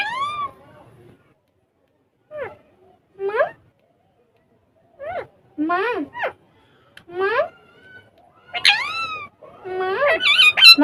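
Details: Talking ringneck parrots having fun on a table, speaking Urdu or Hindi. Short, swooping, speech-like syllables come in quick clusters with rich harmonics. They grow louder and more rapid toward the end in a quiet room.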